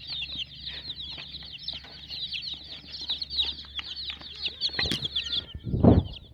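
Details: Colourful hen chicks chirp in a steady high-pitched chorus of rapid peeps, with scattered light clicks and a loud dull thump near the end.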